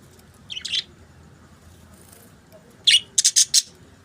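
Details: Budgerigar chirping: a brief warble, a pause, then a quick series of four loud high chirps.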